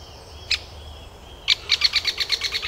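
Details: Great spotted woodpecker giving sharp, clipped calls: a lone hard note, then a quick run of about ten short, hard notes in just over a second.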